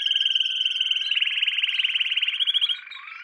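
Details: Canary song from a training lesson for young canaries: a fast, even trill of rapid buzzy pulses that shifts to a slightly higher, brighter roll halfway through, then fades into a soft, lower trailing note.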